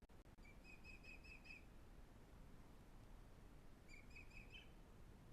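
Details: Faint high whistled chirping from an Osprey at its breeding nest near Pont Croesor, Glaslyn Valley, North Wales. Two separate runs of quick repeated piping notes, heard over steady low outdoor noise on a nest-camera live feed.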